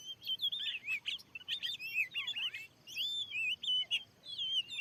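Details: Wild, aggressive oriental magpie-robin at a freshly placed lure in a field: bright whistled phrases mixed with scratchy chatter and a downward slur, in separated bursts.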